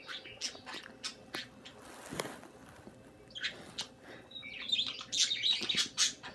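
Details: Budgerigars chirping: fast, irregular chirps and clicks, about three or four per second, with a rustle near two seconds, then a dense stretch of high, trilled warbling toward the end.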